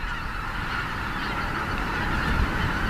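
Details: In November a large flock of geese, arrived from the far Arctic to winter on Ogata's reclaimed rice paddies in northern Japan, call at once, nasal honks blending into a steady chattering wash over low wind rumble.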